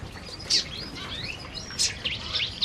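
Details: Several canaries feeding in an aviary give scattered high chirps and short upward-slurred tweets, quiet and spaced out against a soft background rustle.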